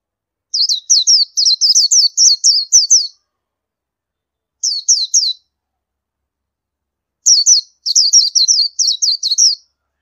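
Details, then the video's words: Indian white-eye producing quick strings of thin, high, slurred chirps, repeated in three groups with quiet gaps between, in a clean recording free of other sounds. "Oriental White Eye Bird Call"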